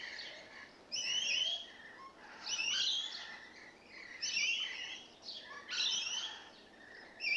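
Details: Rainbow lorikeets, a small group newly settled in and showing lively behaviour, give harsh, rasping screeches in bursts about every one and a half seconds, each shrill and buzzy with quieter chatter between.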